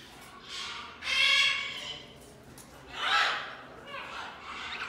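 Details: A galah and a Major Mitchell's cockatoo give harsh, raspy screeches, two loud and two softer, spaced roughly a second or two apart, with faint background noise.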